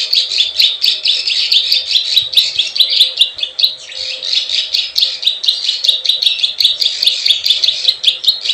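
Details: Rapid chattering buzz of a plain prinia, played to attract wild birds, with regular sharp high clicks and a short dip midway.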